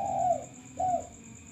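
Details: Captive male spotted dove used to lure others, noted as a frequent caller: two mellow, slightly falling coos a moment apart, backed by a low hum and a constant high-pitched electronic tone.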